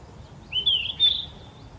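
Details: A yellow-rumped flycatcher, summer visitor, sings on 4 May in Gyeonggi Province, South Korea: one smooth whistled phrase, rising then levelling into a sustained pure note, against a quiet background.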